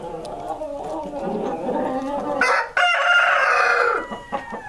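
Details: A breeder flock of rare Columbian Rock chickens: busy overlapping clucks, then a loud, harsh, sustained crow that fades out, followed by more clucking.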